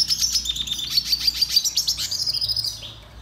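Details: Red siskin (Spinus cucullatus) song for training: a continuous, rapid, high twitter of pulsed chirps and buzzy, tinkling trills that ends with a fading warble.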